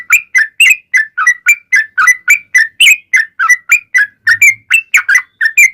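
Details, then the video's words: Energetic yellow-vented bulbul song, a lure meant to draw replies from other bulbuls: clear, liquid whistled phrases of two or three notes, repeated a little more than once a second, with a faint low hum. "SUARA trucukan gacor ROPEL PANJANG pancingan trucukan agar bunyi JADIKAN burung trucuk gacor NYAUT"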